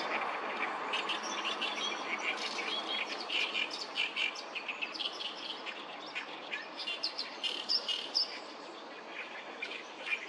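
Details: Oriental reed warblers at Sawatari River, 7 June 2024, many singing at once; scratchy chattering phrases in uneven bursts over a low background hiss.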